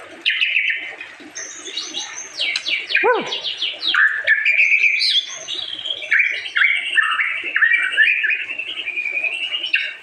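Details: Long-tailed white-rumped shama (murai batu, Medan type) delivering a dense, continuous song of fast trills, slurred whistles and a sharp downward-sweeping note around three seconds, phrases tumbling together without break.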